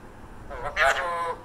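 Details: An Alexandrine parakeet, a talking pet that starts chattering early in the morning, says a brief human-like word in a nasal, harmonic voice, rising then levelling, calling to an African grey parrot, with faint background hiss.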